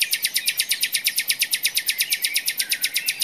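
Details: In a forest, a common nightingale delivers a long, steady rattle of hard, rapid notes, about eight per second, loud and unbroken for the whole stretch, over a soft hiss of background birdsong.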